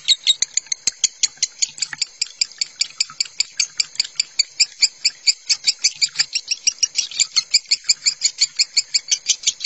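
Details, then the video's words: Lovebird minor song as a master recording for lovebirds, with water sound therapy: long rapid run of high sharp chirps, irregular at times, with faint clicks beneath. "Suara lovebird minor masteran lovebird konslet"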